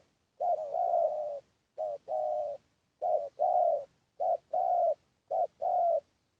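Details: Spotted dove lure call for drawing in wild doves: low, hoarse coos in short-then-long pairs, several paired phrases repeated with brief silent gaps, clean recording with no other sounds.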